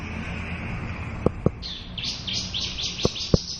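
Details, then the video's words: Short burst of Javan bush lark song, local Javanese bird in full repertoire: a quick rising series of high buzzy chirps starting after a pause, punctuated by loud clicks. "Suara Burung Branjangan Lokal gacor full isiaan"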